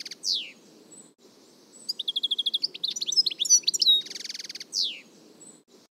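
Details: European goldfinch kept in a cage in Algeria, giving torojiw song variants: downward slurred notes, a run of rapid even twitters, varied sharp chirps, a dense buzzy trill and another falling note, with a soft low hum beneath.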